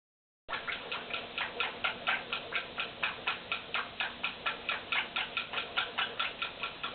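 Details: A pet male Quaker parrot at his mirror, where he always does this, gives a rapid series of harsh, clicking chatter notes, about two each second. Monk parakeet.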